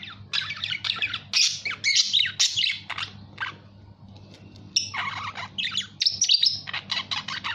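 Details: Budgerigar chatter made of scratchy squawks and quick chirps in two bursts with a quieter gap in the middle, low hum in the background.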